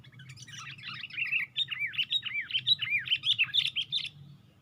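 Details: Sooty-headed bulbul in a lure recording, perched with wings raised on a branch: a lively, varied four-second warble of swooping, looping whistled notes that rise and fall in quick succession and grow louder toward the end.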